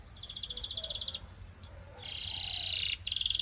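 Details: Russian singing canary, sung to attract other canaries, with buzzy pulsing trills interrupted by a rising two-note whistle, then more dense trilling.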